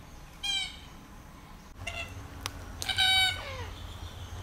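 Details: Two rasping, slightly trilled calls from a red-tailed black cockatoo, about two and a half seconds apart. The second call is louder and ends in a falling tail. A low rumble sits underneath.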